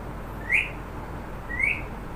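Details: Talking parrot calling out a name, two brief upward-sliding whistled notes about a second apart against constant low noise.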